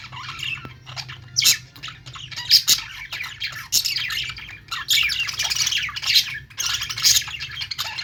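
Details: Budgerigars chirping: a dense, continuous chatter of scratchy warbles and squawky notes from several birds, with no clear pauses.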